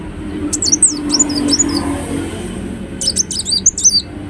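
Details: Ruby-cheeked sunbird singing two short bursts of high, jumbled squeaky chirps about two seconds apart, over a faint steady hiss.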